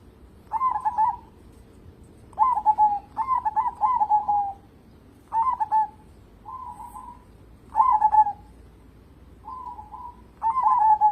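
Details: Vocal local zebra dove used as a lure for other songbirds: clear, repeated bursts of rolling, trilled cooing with frequent short level notes between, about eight phrases in eleven seconds, loud against a quiet background.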